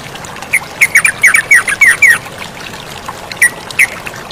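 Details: Brief burst from a yellow-vented bulbul beside running water: a quick run of about eight bright, downward-slurred chirps, then a pause and two final notes, over a steady watery hiss.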